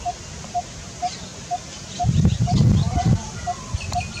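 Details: Coppersmith barbet recorded 6 February 2022, giving a steady series of hollow, metallic 'tuk' notes, about two per second, with a burst of low muffled voices or rumble partway through.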